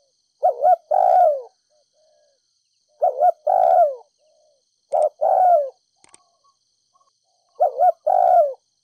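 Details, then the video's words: Thúc gù cooing by a Ninh Thuận spotted dove used as a ground decoy to stir up other doves. Four soft, mellow phrases, each a brief doubled note then a drawn-out descending coo, repeating every two to three seconds in a quiet setting. "Cu gáy kích bổi nhanh nổi,THÚC GÙ Giọng đồng pha thổ,cu gáy ninh thuận mồi đất thúc gù"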